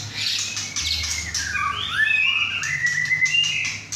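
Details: Young male White-rumped shama, caged at home and newly moulted, singing hard with two other birds; long smooth whistled glides rising and falling, with sharper notes in the background and a faint hum.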